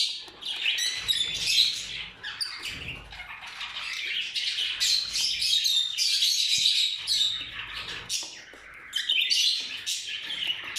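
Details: A busy chorus of purple lutino rose-ringed parakeets, dense harsh chattering and screeching with rapid overlapping notes, carrying on without pause for about eleven seconds.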